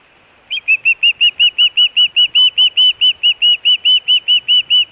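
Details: Wild osprey calling at the Hellgate nest, Montana, June 2017, while begging for fish or giving alarm: a rapid, insistent series of high, clear whistled yelps, steady and regular after a short quiet start.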